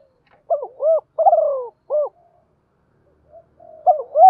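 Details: Caged decoy spotted dove cooing to call in other doves: a run of short, low, rounded coos and one longer drawn note, a pause, then more coos; nothing else audible.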